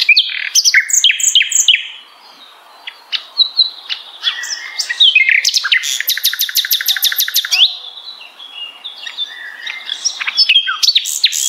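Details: Common nightingale tutor song for contest birds: fast varied phrases, a brief silence, then a long powerful rattle of evenly repeated loud notes followed by chattering trills.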